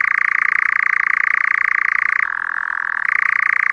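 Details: European nightjar churring on a summer night in the forest. It arrives in May and feeds on insects. A sustained, dry, rapidly pulsing trill shifts down in pitch for almost a second before climbing back to its earlier level.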